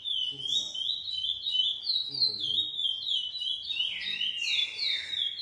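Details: A captive-bred Lesser seed finch from GP and Coimbra song lines sings steady looping whistles, ending in a louder, wider downward-sweeping phrase; faint voices in the background.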